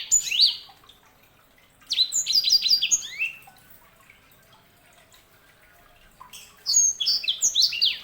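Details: Sanger, a canary hybrid, sings two bursts of rapid, high, sweeping notes, each sliding downward in quick succession, separated by several seconds of quiet.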